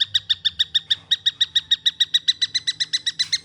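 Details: Harsh repeated chirps from a juvenile long-tailed shrike, delivered in a fast unbroken string of about three to four per second, with slightly rising emphasis toward the end.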